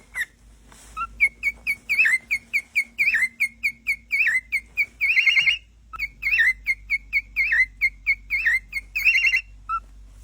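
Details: Pet cockatiels giving bright, sharp chirps with a slight upward twist, repeated in quick irregular runs of about one per second, with a few harsher, buzzier bursts in between and a faint low hum behind.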